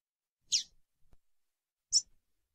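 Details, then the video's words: Two quick, high-pitched chips from a female coleiro (double-collared seedeater), calling to excite a male, about 1.4 seconds apart, with a faint click between them. "piado de fêmea de coleiro"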